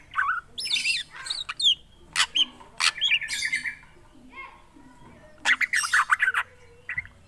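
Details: Black drongo in full song mixes wavering whistles, harsh rasping bursts and chattering phrases in quick succession, pausing briefly before a final dense burst.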